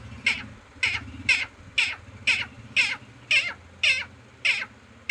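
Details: Green parrot repeating one harsh, raspy squawk at a steady pace of roughly two per second, evenly loud, with a low steady hum behind.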